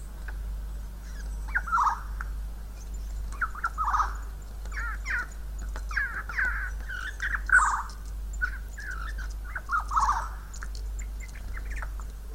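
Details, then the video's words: Wild Siberian jay, an imitating bird, gives a run of soft, nasal bleating and whining notes, each about a second long, bent and wavering, over a low steady hum. "Мекает и скулит"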